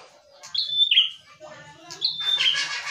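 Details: Ashy tailorbird singing: two clear, high whistled phrases, each a sharp note followed by a falling slurred whistle, about one and a half seconds apart.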